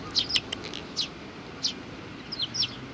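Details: Lively sparrow chirping recorded 27 June 2019, a little one trying hard: clustered quick high notes at the start, a pause, then another burst of several chirps near the end.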